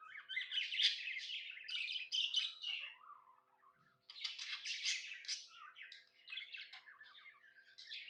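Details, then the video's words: Pet budgerigar chirping happily indoors: dense bursts of buzzy, scratchy warbling chatter with quick whistled notes, a short pause mid-clip, then more rapid chattering. "Happy budgie chirping sounds"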